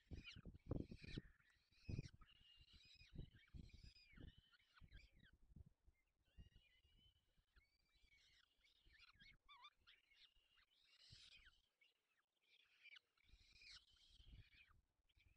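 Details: A peregrine falcon feeding its young in Poland's Barycz Valley in early May 2020. Grating squeals and wailing calls come in irregular runs, with bumps and muffled handling noise, and a brief quiet gap near the end.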